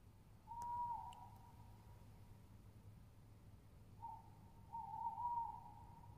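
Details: Two drawn-out, even-pitched tonal notes from a tawny owl recorded 22 07 20: a shorter one near the start and a longer, wavering one later, over a low background hum.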